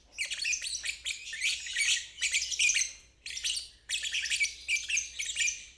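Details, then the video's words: Ngeriwik performance by a lovebird, meant as a lesson for fledglings and birds that have stopped singing. Long, grating, high chattering runs are broken by a couple of clear pauses. "Terapi Lovebird ngeriwik"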